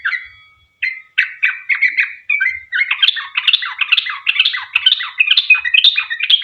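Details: Sooty-headed bulbul in long rapid 'ropel panjang' song, used as a lure to make other bulbuls sing; a short pause, then dense bubbly chattering notes, quick and uneven, growing busier after three seconds.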